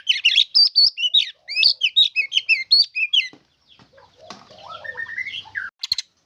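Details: White-rumped shama song rich in varied phrases: rapid bursts of whistled and chattering notes in quick groups, a short pause, then softer rising and falling whistles.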